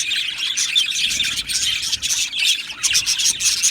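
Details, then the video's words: Australian budgie colony in an aviary, recorded 12 July 2025, filling the air with loud, rapid chirps and thin whistled notes, overlapping continuously from many birds at once. "Australian Budgie Chirping Sounds"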